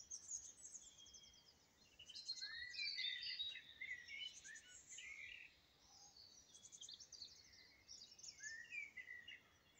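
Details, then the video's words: Singing song thrush delivering a dense, rapid run of high, varied notes, including trills and ringing whistles, some repeated two or three times in quick succession, over faint background noise. "Song Thrush singing"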